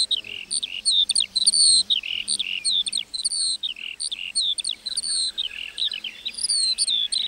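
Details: Singing lark over a meadow, pouring out a fast, varied chatter of shrill notes, short trills and downward-sliding whistles in a continuous flow, with soft low rumble in the background.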